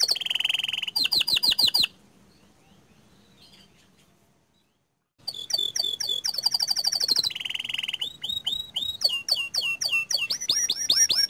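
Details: Active Panda canary song with 'ngerol' rolls and long 'nembak' shots: fast high trills, a pause of about three seconds, then dense repeated upswept notes and buzzy rolls that continue to the end.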